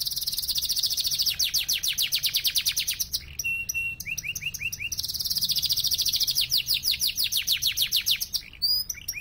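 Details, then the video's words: Three yellow Belgian canaries singing together; rapid high trills and buzzy rolling phrases repeat in long bursts, with short whistled notes and clicks between phrases. "Canários cantando, três canários amarelos contando."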